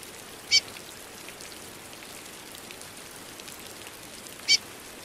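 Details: Female Chestnut-bellied Seed-Finch calling in the rain: two brief, high chips about four seconds apart over a steady hiss of rain.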